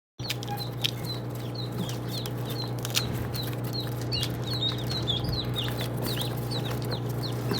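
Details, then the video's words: Ducklings in a crowd peeping nonstop, with many high, short, slightly falling peeps overlapping over a steady low mechanical hum. "صيصان البط"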